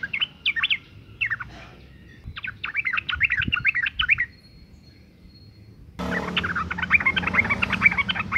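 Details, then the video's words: Sooty-headed bulbul female in breeding condition calling males, a lure to get them singing: short bubbly chirps, then a rapid chattering string of notes, a brief lull, and a louder, denser burst of chirping at the end. "suara panggilan burung trucuk betina gacor birahi"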